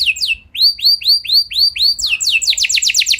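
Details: Canary song intended to trigger other canaries to sing back: a string of six slurred, upward-arching whistles at an even pace, followed by quick descending notes that run into a fast trill.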